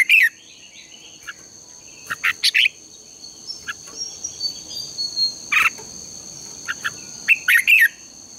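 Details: Red-whiskered bulbul contest song used to excite birds into singing: scattered sharp chirps and a few brief chattering bursts, fairly sparse, over a persistent high whine and a soft background hiss.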